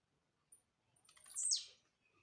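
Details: Blue-black grassquit, a jumping singer, gives one short buzzy note that sweeps steeply down from very high pitch, preceded by a faint high tick; otherwise quiet.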